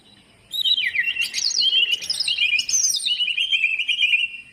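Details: Greater green leafbird song used as a lure to get lazy birds singing: a continuous rich warbled phrase of whistles and slurred notes, rising and falling, with quick trills, over a quiet background.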